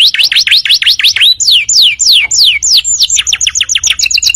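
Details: Canary song from a tutor recording for training birds: quick V-shaped whistled notes, then slower loud downward slurs, ending with a fast series of short high chips.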